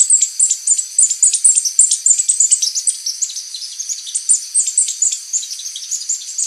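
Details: A mid-mountain berrypecker (Melanocharis longicauda), a small bird of mid-mountain forest, sings a high, rapid, continuous chattering song of thin twittering notes pulsing several times a second.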